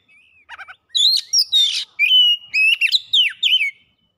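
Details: An oriental magpie-robin sings hard to provoke rivals, unloading mimicked phrases: a faint whistle and stuttering trill open, followed by a dense run of loud whistles, rasping notes and descending slurs.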